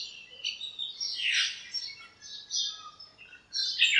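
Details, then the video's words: Birds chirping on a sunny morning in a backyard lemon tree, squabbling and calling to one another; bright, buzzy chirps in scattered bursts with pauses between, several voices overlapping. "chirps at morning | backyard bird sounds"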